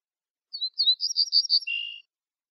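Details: Ortolan bunting from a birdsong CD: a short clean phrase of high, sweet, evenly repeated notes that ends in a lower, drawn-out buzzy note, with no background sound.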